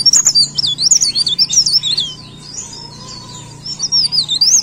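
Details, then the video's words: Lively high-pitched leaf warbler song, a fast run of sweeping, warbled notes for about two seconds, a brief quieter lull with a faint whistle-like tone, then more rapid twittering phrases, with a constant low background hum. "CIKRAK DAUN GACOR"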